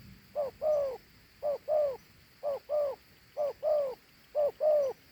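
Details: Large dove cooing in the two-note 'thổ hú' style, each coo a short note then a longer lower warbling note, repeated about once a second in five even pairs against a quiet background.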